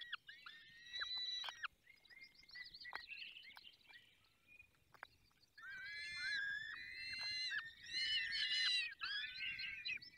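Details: Falcons feeding at a nest in the Barycz Valley: quiet, scattered squeaks and clicks give way to loud bursts of harsh, shrill, overlapping wails with strong overtones.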